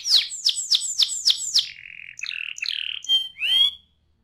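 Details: Singing canary: six loud descending whistled notes, then a flat buzzy tone, stuttered chirps, and a final rising-and-falling whistled note before silence.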